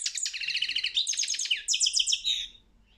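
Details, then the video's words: European goldfinch competition song, rapid repeated bright chirping notes in quick series, tinkling and evenly paced, fading out at the end. "Pesma štiglića 009/23 World Championship in Goldfinch Song"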